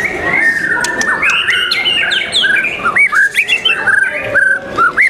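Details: White-rumped shama singing at a bird-song competition held 12 December 2021: loud, varied whistled phrases with rising and falling slurs and sharp upswept notes. Busy background of other bird song and chatter throughout.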